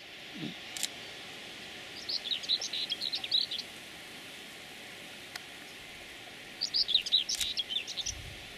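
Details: Geese with their chicks, heard as two bursts of thin, high chirping peeps, quick and irregular, over steady faint background hiss, with a soft low thump near the start.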